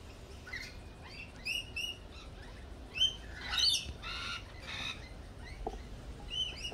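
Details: Lorikeets at a cafe give short, high, screechy chirps in scattered bursts, several overlapping around the middle, over a low background rumble.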